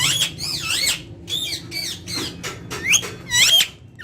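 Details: Ringneck parakeet talking in Urdu and Hindi face to face: a quick stream of about eight high, harmonic, wavy syllables, some loud and rolling, with short pauses between them.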